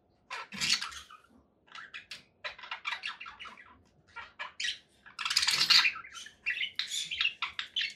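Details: Conure parakeet delivering loud, shrill squawks and rapid scratchy chatter over a faint low background hum.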